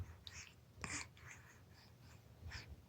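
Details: A 4-month-old raven makes a quick string of soft, breathy rasps and clicks while someone wiggles a finger across his lips, about six in three seconds, with one louder scratchy note; faint indoor hum.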